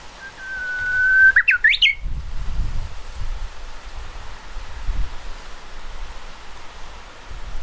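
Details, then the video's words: Japanese bush warbler song, recorded on 31 May 2013: a sustained level whistle, then a short burst of twisting, upward-sweeping notes. Low rumbling background noise continues after the phrase. "ウグイスのさえずり Japanese Bush Warbler"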